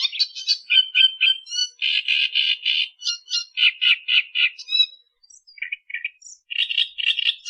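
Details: Australian reed warbler song from a natural tutoring recording: rapid series of harsh, scratchy notes in repeated groups, with brief whistles, a short gap, then more chattering bursts.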